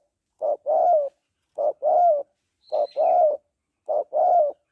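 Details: Cooing of a female spotted dove calling to arouse a male. Four paired phrases, each a brief note then a fuller, longer coo, with a faint high twitter from another bird in the middle.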